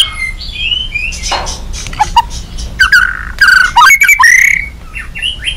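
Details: An agitated white-rumped shama, singing as a lure for other shamas, gives scattered slurred whistles and harsh squawky notes against background hiss, with the louder phrases near the end.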